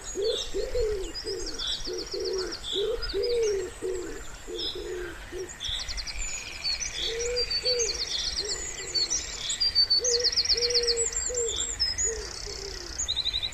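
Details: Wood pigeon by a pond in spring giving a long series of low, muffled coos in rhythmic phrases with a short pause midway; many songbirds chirp, trill and whistle brightly over it throughout.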